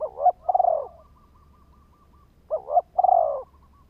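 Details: Spotted dove lure call for triggering wild males: two coo phrases about 2.5 seconds apart, each a quick two-part lead-in and a rolling, throbbing low coo, with a faint higher wavering note trailing in the background.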